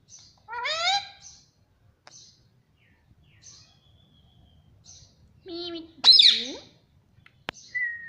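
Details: Talking parrot mimicking "mummy": a voiced speech-like word, then quiet high chirps, then a loud burst of a word followed by a harsh squawk and a short whistle.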